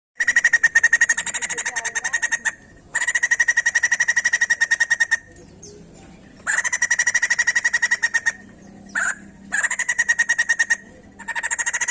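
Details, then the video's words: White-crested laughingthrush song, used to stimulate other birds to sing: rapid buzzy pulsed notes, about ten per second, in bursts of two to three seconds separated by short pauses. "Sekali putar Burung poksay Jambul langsung bunyi"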